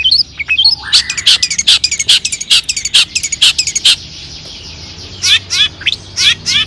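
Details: Long-tailed shrike provocation song: a fast stuttering series of harsh chattering notes, then a pause and several quick rising squeaks.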